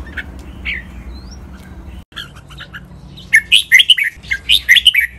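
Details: Red-whiskered bulbul singing Pa La-u style song meant for captive birds to imitate: quiet scattered chirps at first, then a loud run of quick, bubbly whistled notes in two rapid phrases near the end.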